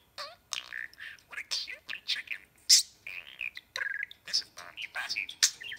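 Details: Budgerigar chatter from a three-year-old talking male meeting a new young budgie face to face for the first time, intrigued and introducing himself: fast bursts of scratchy, warbled notes and sharp high squeaks in quick runs with brief pauses, with some nipping.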